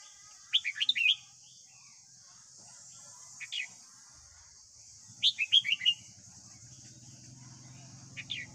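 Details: Red-whiskered bulbul of the white-cheeked type singing in the morning, played to train a young captive bird: two bursts of quick warbled, chirping notes around a second long, with single short notes between them, over a steady high hiss and a low hum.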